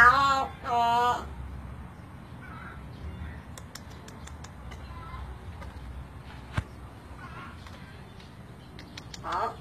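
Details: Pet crow talking to its owner, giving two loud, harsh, speech-like bursts with strong harmonics in the first second, followed by quiet room sounds, light tapping and a brief faint vocal near the end.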